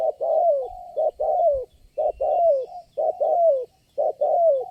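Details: Spotted dove answering lure birds, the lone wild caller at the trapping spot: loud, regular phrases roughly once a second, each a short coo followed by a longer falling note, against quiet background.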